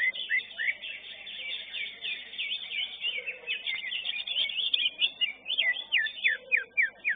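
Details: Contest-caged greater green leafbird delivering a fast, varied song of chattering trills and slurred whistles, ending in a series of sharp down-slurred notes repeated about three per second, with low murmuring voices behind.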